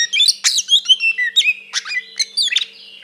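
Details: Oriental magpie-robin singing an aggressive fighting song to provoke another bird. Short bright phrases of sweet whistles, sharp chips and quick slurred notes repeat several times a second over a faint low hum.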